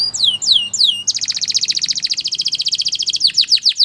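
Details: Belgian canary sings three clear downslurred whistles, then a long even rolling trill of rapid pulses lasting about two seconds, ending in quick descending notes.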